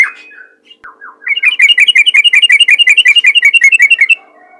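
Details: Yellow-vented bulbul calling other bulbuls with a 'ropel ngalas' rattle: a few low slurred notes open, then a fast, very even run of sharp chirps, about five per second, lasting some three seconds.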